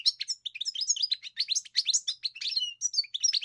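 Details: Continuous, rapid twittering song of a European goldfinch, liquid high notes and nasal chips tumbling together without a break; no other sounds.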